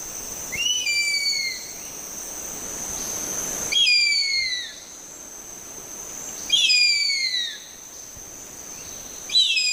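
A harpy eagle gives thin, high, down-slurred wailing screams, each about a second long, about every three seconds, over a steady high insect-like drone.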